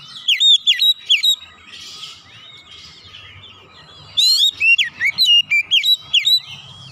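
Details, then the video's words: Oriental magpie-robin singing in the 'nembak' style and unloading its 'isian' fill-in phrases: bursts of loud, sharp whistled notes dipping and rising, separated by a quieter stretch of soft, varied twittering. "kicauan kacer nembak nembak bongkar isian"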